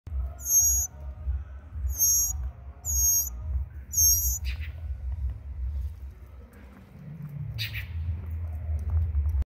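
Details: Tropical mockingbird at a nest with two chicks in a garden tree, Trinidad and Tobago; a parent is heard calling the chicks at the end. Four thin, very high squeaky calls about a second apart, with wind rumble and clicks.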